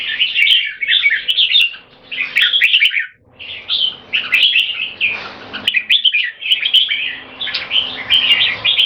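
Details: Controlled aggression between two red-whiskered bulbuls, each singing as frequently as possible to dominate the other; short, choppy bursts of bubbly whistled notes repeat with small pauses, overlapping at times.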